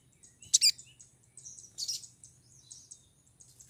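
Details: Female pied triller in breeding condition calling to attract a male: sharp, high chirps, a double note near the start, a fainter burst midway and another at the end, over a low background hum.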